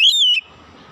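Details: Oriental magpie-robin giving a single sustained whistle, steady then dipping slightly at the end, lasting under half a second before silence.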